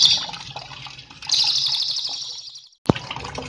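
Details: Whiskered Treeswift song used as a master recording for training cage birds: two high buzzy trilled bursts, the second longer, with a background of flowing water and a sharp click near the end.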